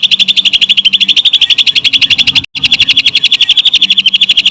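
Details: Greater green leafbird delivering lovebird-style song in tight rapid bursts, a loud high pulsed trill of regularly spaced notes, broken by one brief silence midway before the chatter resumes at the same fast pace.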